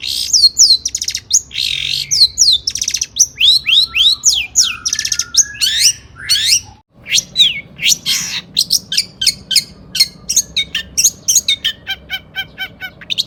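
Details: Long-tailed shrike in vigorous, high-emotion song used to prompt other shrikes to sing: swooping, descending squeaky notes at first, then a fast chatter of sharp ticks and chirps, roughly three to four notes per second.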